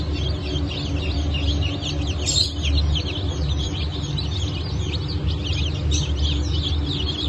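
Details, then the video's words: Newly hatched Brahma chicks, with Ottoman Sultan chicks, from a hatch on 10 August 2024. Continuous high, downward-sweeping peeps repeat rapidly from many chicks over a steady low hum. "Yeni Çıkım 10.08.2024 - Osmanlı Sultan, Brahma"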